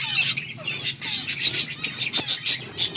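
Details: Finches feeding on green food, August 17, 2024: rapid short high chirps repeated several times a second over a soft low hum.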